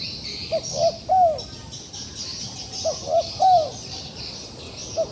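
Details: Wild pigeon caught in a trap and still fighting: two three-note cooing phrases, the last note of each drawn out and sliding down, then a single short coo, with insects trilling high in the background.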